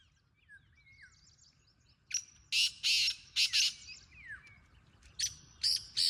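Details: Wild black francolin calling amid faint twittering of other birds: a burst of four loud, grating, rasping notes in quick rhythm, followed after a short pause by three more harsh bursts.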